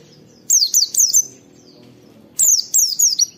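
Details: Oriental white-eye "wit wit" calls from a recording meant to teach and stimulate other white-eyes; two quick runs of three or four thin, high falling whistles separated by a short silence.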